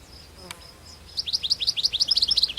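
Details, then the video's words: European goldfinch in the wild: after a faint thin note, a fast tinkling twitter of bright high notes, about eight per second, over soft background noise. "طيور الحسون في الطبيعة"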